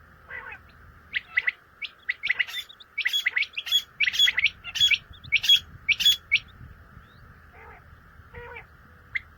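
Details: Common quail calling: a rapid run of sharp, liquid three-note phrases, bright and clipped, crowding together in the middle seconds, over a steady hissing background hum.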